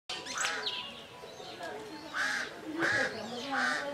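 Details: Female Hemprich's Hornbill at Lake Langano, Ethiopia, on 11 January 2015, giving harsh, nasal bursts repeated roughly every half second toward the end, with an earlier squeaky note and other birds calling faintly behind.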